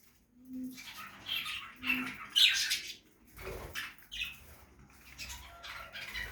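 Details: Budgie parrot feeding in a backyard aviary utters scattered chattering squeaks and scratchy warbles, one louder burst near the middle, separated by rustling and quieter gaps.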